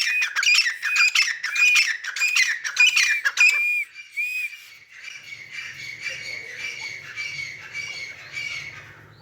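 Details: Teetar, the grey francolin, playing in mud: roughly four seconds of loud, rasping squawks with whistled slides in regular rapid series, then the calls fade to softer, hoarse repetitions over a faint low hum.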